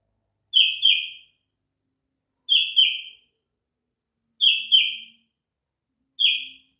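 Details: Sooty-headed bulbul singing kutilang isian: quick bright phrases of two downward-slurred notes, repeated about every two seconds against a silent background. The final phrase has a single note.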